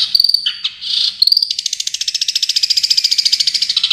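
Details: Champion Long-tailed shrike tutor recording: a few scratchy, squeaky notes open into a fast, even trill of about three and a half notes a second that lasts to the end.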